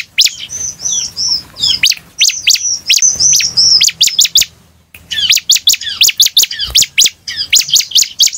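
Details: Lively bar-winged prinia song meant to make others answer: thin high whistles sliding into rapid strings of sharp clicking chirps, then a brief pause and another fast chirping run.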